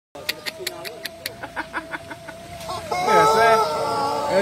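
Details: A contest-winning Pelung rooster begins its long, wavering crow after a run of sharp, regular clicks.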